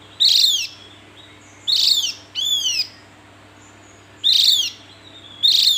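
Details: Loud, scratchy descending calls from a Javan grey-throated white-eye come in pairs and singles, each note a quick downward sweep, with pauses of one to two seconds between groups over a faint hum.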